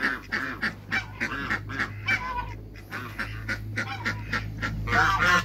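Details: Rapid, choppy honking from a pair of African geese in a backyard among other waterbirds: short nasal bursts tumble out several per second over a steady low engine-like drone.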